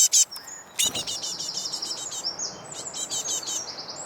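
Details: A young great tit, one of four impatient to be fed, begs with rapid, thin, high chips, several a second, mixed with short drawn-out whistled notes over faint background hiss.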